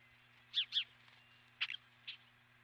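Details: Osprey at the nest on 12 March 2016, captured by a nest camera: two quick high whistled chirps, then a sharper pair and one softer chirp. Faint steady low hum underneath.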